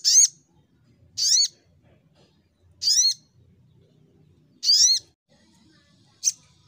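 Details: Sogok ontong, the brown-throated sunbird, singing in fighting mode: four loud, bright notes that dip and rise, given at uneven intervals of one to two seconds, ending with a shorter note.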